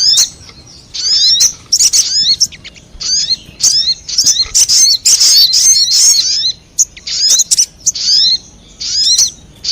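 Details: Crimson sunbird lure recording meant to draw wild birds in: dense bursts of high, sharp, twittering chirps and quick down-slurred notes, coming in rapid clusters separated by brief pauses.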